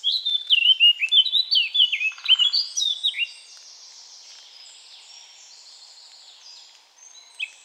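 Eurasian Blackcap singing a loud, clear, fluting verse of quick rising and falling whistles for about three seconds, followed by a softer scratchy trailing twitter.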